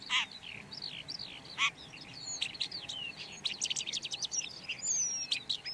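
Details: Red-backed shrike (Lanius collurio) song: a varied, scratchy warble of high chirps, short rising and falling whistles and clicks, with sharp note bursts growing denser toward the end.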